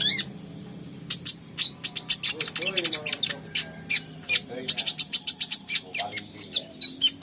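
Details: Ruby-cheeked sunbird (konin) singing actively: a brief pause, then long volleys of very high, sharp, rapidly repeated chirps and tsips, some quick runs of four or five notes per second, over a soft low background hum.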